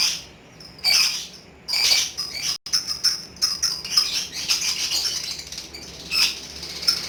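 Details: Lively lovebird in ngekek song: scratchy high-pitched chatter in bursts, separated by brief quiet gaps, then a steadier rattling trill toward the end.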